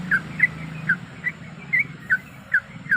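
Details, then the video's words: Breeding female sooty-headed bulbul calling for a male as a lure: sparse short slurred chirps, roughly two per second, partly masked by steady hiss and low background rumble. "Suara Pikat Trucuk Gacor Ampuh Bikin Gacor"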